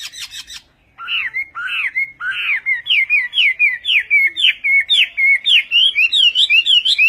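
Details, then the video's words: Western-type Chinese hwamei delivering Vietnamese-style song: after a brief burst of sharp chips, loud clear whistled rising-falling phrases repeat about twice a second, speeding into a rhythmic rolling series of bright notes. "HỌA MI TÂY - TIẾNG HÓT VIỆT"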